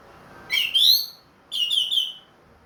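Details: Ring Kresek orange-headed thrush in captivity, singing freely again after moulting in the loud 'plong' style: two strong phrases of rising, ringing whistles about a second apart, each rich in overtones.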